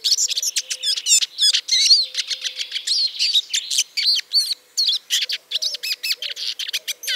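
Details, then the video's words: Song of a Eurasian siskin, Spinus spinus: a loud, continuous, rapid chatter of high clipped notes, twangy upslurs and brief buzzy trills, with a faint steady low hum beneath. "O canto do Lugre (Spinus spinus)"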